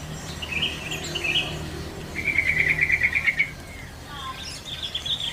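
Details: Wild sooty-headed bulbul giving a few scattered chirps, then a fast string of about eight to ten bright repeated notes, and further soft notes at the end, heard over soft ambient noise outdoors.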